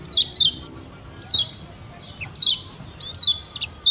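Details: Lombok white-eye giving a lure song for training beginner birds. Short, high, descending chirps repeat about once a second, with a few softer notes in between.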